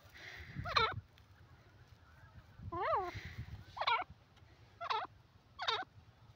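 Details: Grey francolin (teetar) giving loud, harsh, sharply rising call notes in short bursts about once a second, over a low background hum.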